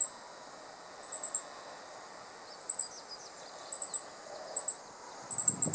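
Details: Meadow Bunting male perched on a dead branch, Japan, mid-July 2015, scolding an observer after feeding: rapid triplets and quadruplets of piercing, high clicks separated by about a second of quiet, a low thump at the end.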